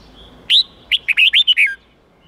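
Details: Red-whiskered bulbul in the forest-standard 8-9-10 note song style, used to teach young birds: one bright rising whistled note, a short pause, then six rapid liquid warbles falling at the end, over a quiet background.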